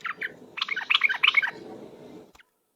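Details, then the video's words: Yellow-vented bulbul in lure song of the rapid ropel style, very vocal: a dense burst of bubbly, chattering notes lasting about a second, followed by a soft low rumble and a faint click. "suara pikat trucuk ropel..super gacor"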